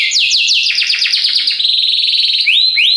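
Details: Powerful song of a Belgian canary: quick series of downward-sliding notes merging into a steady buzzing trill, ending with two rising whistled slurs.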